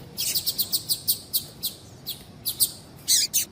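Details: Female Double-collared Seedeater calling, a sound breeders use to stir a quiet male into song: a quick run of sharp, very high chirps, then more widely spaced chips, closing with a harsher buzzy double note.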